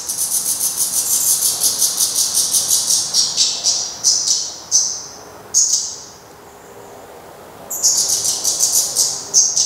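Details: Black redstart calling at the nest on 24 May 2020 as the last chick fledges; rapid runs of high whistles and clicks, pausing midway, then resuming quickly.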